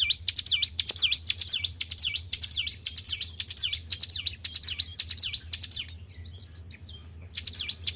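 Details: Kept white-browed shortwing singing vigorously: a rapid series of shrill, whistled V-shaped notes, each dropping then rising sharply, about two per second. A brief pause comes near the end before the phrase resumes. A faint low hum sits underneath.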